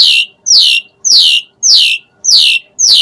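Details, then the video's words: Asian pied starling calling emotively in a song meant to trigger other starlings: six loud rasping notes sweeping downward, spaced about half a second apart, with no other sound. "Suara Kicau Jalak Suren Gacor Pancingan EMOSI Isian Variasi"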